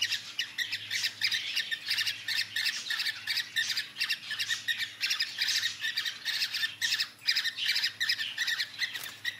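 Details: Cockatiels during mating give harsh, rapid squawks and chatter in a dense, continuous burst.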